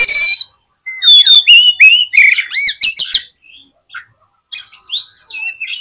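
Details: Oriental magpie-robin singing, played to provoke other magpie-robins into quick response. Rich whistled notes and rising and falling slurs in rapid succession, then a short pause and a quieter trailing passage of whistles.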